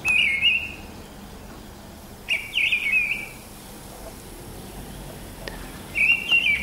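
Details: Spring morning song from a mistle thrush, March or April 2010: three loud whistled phrases spaced about two to three seconds apart, pure and slightly wavering, over soft constant background noise.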